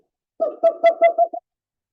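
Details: A screech owl, a small owl of California oak trees, gives its trill call: a brief, quick run of about six mellow, hollow notes at a steady mid pitch, lasting roughly a second.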